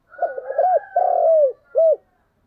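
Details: Decoy spotted dove calling in the morning: one hoarse cooing phrase of three parts, short wavering notes, then a long falling coo and a final brief coo, all within two seconds in a quiet setting.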